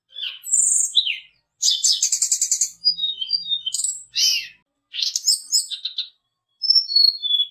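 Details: Mountain tledekan song serving as a lure for fighter birds: sharp high notes, a fast buzzy rattling trill, scattered thin whistles and chattery bursts, ending with descending clear whistles.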